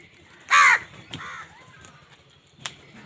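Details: Crow calling while fighting for food: one loud, harsh, rasping caw lasting about a quarter second, followed by a second fainter, shorter caw and a few soft clicks against quiet background hum.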